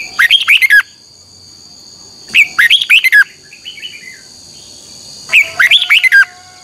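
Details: A red-whiskered bulbul gives its morning training song, intended to teach other birds: three loud, bubbly phrases of rapid descending whistles roughly every two and a half seconds, with a quieter warble between and a thin constant tone.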